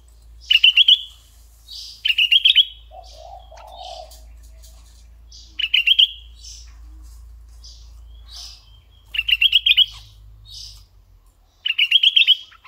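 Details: Decoy red-eyed bulbul giving five short bursts of fast, bubbly chattering notes, roughly every two to three seconds. Soft rasps and a low background hum come between the bursts.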